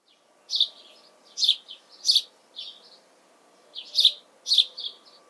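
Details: House sparrow in June 2020: bright, sharp chirps in loose clusters of two or three, each note bursting high and falling slightly, with short quiet gaps between groups.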